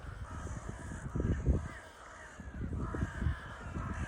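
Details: Crows meeting on Liepaja beach by the Baltic Sea, Latvia: several raspy caws spread across the stretch, partly masked by gusting wind, breaking surf and the walker's footsteps.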